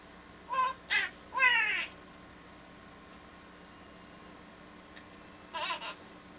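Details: Pet male monk parakeet (Quaker parrot, Myiopsitta monachus) mimicking, singing "Walk This Way" in raspy, nasal, wavering phrases that imitate the rock tune.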